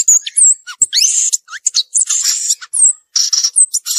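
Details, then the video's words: In the wild, a violaceous euphonia sings a continuous stream of high whistled slurs, rising sweeps, sharp chips and buzzy phrases, delivered rapidly with only tiny gaps. "Gaturamo verdadeiro cantando na natureza"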